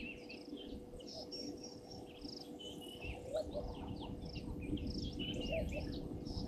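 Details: European bee-eaters at Gowrie dam waterhole, Djuma Game Reserve, Sabi Sand, South Africa, around 17:00 on 15 January 2023: many short, rolling, liquid chirps overlapping at a quick, uneven pace over a steady insect hum and low rumble.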